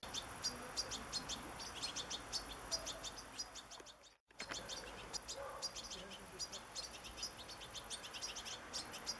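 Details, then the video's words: European goldfinch in nature giving a busy, high twittering song of rapid chirps, broken by a brief silent cut midway, with faint low background sounds. "صوت حسون في طبيعة"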